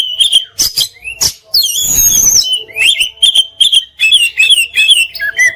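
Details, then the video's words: Kacer, the Oriental magpie-robin, in full song with fill notes and bursts: short whistled notes in quick series, a harsh noisy burst, then rapid warbled whistles rising and falling. "Masteran Mewah Burung Kacer Full Isian Dan Tembakan"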